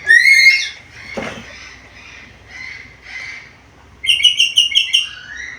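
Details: Talkative black-capped lory with varied calls. A loud whistled note opens, followed by softer, rough murmuring sounds and a click. The clip ends in a rapid, chattering burst of high, repeated notes.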